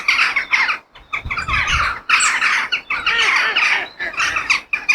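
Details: Crow calling outdoors in nature: harsh, raspy caws in bursts, several overlapping, separated by brief pauses across five seconds.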